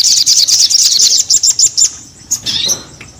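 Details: Fast series of high, bright chirps from a sogon bird, about three per second, slowing into a few spaced notes before fading.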